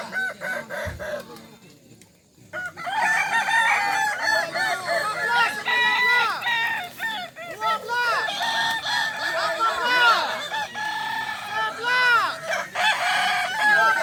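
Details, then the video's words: Kukuak balenggek roosters at a crowing contest at Sirukam dairy farm, Solok regency, many birds overlapping in long, stepped, wavering crows that run on almost without pause after a quiet opening second, with human voices mixed in. "Lomba ayam kukuak balenggek di sirukam dairy farm kab solok"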